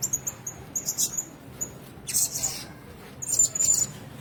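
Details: Blue-crowned hanging parrots in a shared cage: a run of short, evenly spaced high chips opens, followed by a rustling burst and then a thin, high trilled call.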